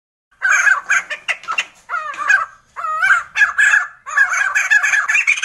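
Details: Sumatran laughingthrush (Garrulax bicolor) song: loud, rich, chattering bursts of nasal, rising and falling notes in quick runs, like harsh laughter, with almost no pause between phrases.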